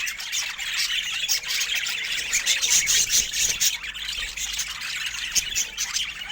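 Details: Pet budgerigars chattering in a dense chorus: continuous overlapping squawks, chirps and warbles, with a few sharper high squeaks.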